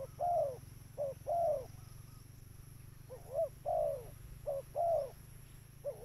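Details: Spotted dove used as a lure for birds, giving low mellow coos in pairs, a short note then a longer downward-curving one, repeated about once a second, with a low rumbling background and a faint high hum.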